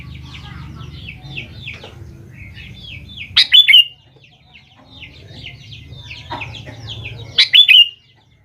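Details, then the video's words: Sooty-headed bulbul lure song meant to draw a response from young birds: two loud bubbling whistled phrases about four seconds apart, over many faint, quick descending chirps and a low hum. "BURUNG KUTILANG GACOR | dijamin 100% nyaut GACOR kutilang muda anda"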